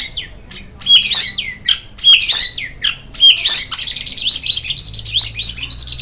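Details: White-rumped shama song meant as a master recording for tutoring cage songbirds: repeated high whistled phrases with clicks about once a second, ending in a dense chattering trill.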